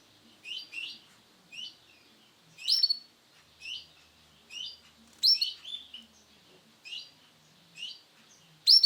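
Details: Chirping of a male canary, sunkist colour variation: clear, short, high notes in pairs and singles, repeated every second or so. A few stronger, sharper bursts stand out against near silence.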